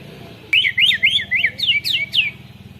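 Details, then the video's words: White-rumped shama, a kept songbird trained with canary song, singing a long rolling phrase: a rapid series of loud slurred whistled notes, each sweeping up and down, running for about two seconds over a steady low hum. "Burung murai batu isian kenari full ngeroll panjang"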